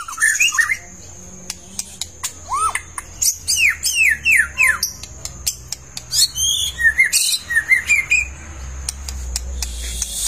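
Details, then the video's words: A long-tailed White-rumped shama in full song sings rapid, varied phrases of rising and falling whistles mixed with harsh squawky notes, over a steady thin high-pitched hum. "PANCINGAN BUNYI Murai Batu Ekor Panjang Dorong Ekor Udah Gacor"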